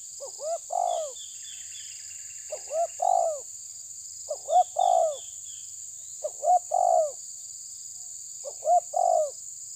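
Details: Spotted dove (tabir type) pressing an opponent, cooing in steady series: five phrases of two short hoots and a longer falling coo about every two seconds, with faint high chirps from another bird early on.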